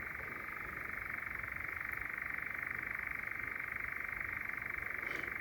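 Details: Close European Nightjar on a night walk in Sherwood Forest, with others churring nearby; an unbroken, even, purring mechanical trill running steadily throughout.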